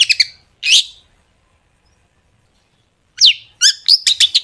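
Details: Long-tailed shrike singing, played to coax shrikes into song; a few harsh chattering notes and a rough squawk, a long silence, then a steeply falling whistle followed by quick sharp chips and rasping bursts.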